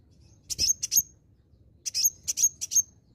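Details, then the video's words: Olive-backed sunbird, known locally as kolibri ninja, singing as a lure to draw others into song: two bursts of very high, thin, sharp chips and trills with a few short whistled notes, clean and quiet background. "kolibri ninja (konin) ijoan gacor pancingan ampuh konin bahan langsung nyautt"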